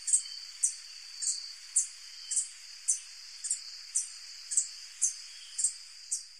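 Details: White-tipped sicklebill (Eutoxeres aquila), a hummingbird, gives very high, thin, sharp notes, repeated about twice a second, over a steady hiss of insects.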